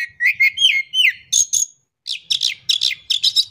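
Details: Oriental magpie-robin lure song for stirring a silent bird to sing: a rapid string of varied whistled and slurred notes, then, after a brief pause, dense scratchy chattering phrases repeated in quick succession.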